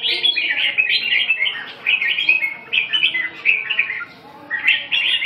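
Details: Red-whiskered bulbul singing loud, warbled, whistled phrases in quick bursts, rising and falling, with a short pause near the fourth second before singing resumes.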